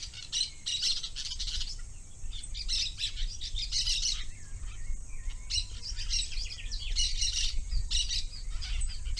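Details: Parakeet chattering in loud, irregular bursts of shrill chirps and squawks separated by brief gaps, with a steady low rumbling noise underneath throughout.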